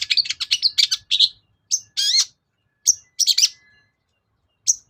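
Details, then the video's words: Long-tailed shrike (cendet) lure song to make reluctant birds sing: quick run of high, rapid chips, a slurred wavering whistle-like squeal, then scattered sharp squeaks and chattering notes separated by brief silences. "BURUNG CENDET GACOR || SUARA PIKAT CENDET SUSAH BUNYI"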